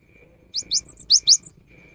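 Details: Cinereous tit singing, used as a lure during the rainy season: two quick pairs of sharp, high whistled notes separated by a short pause, over a faint steady tone and soft low background noise.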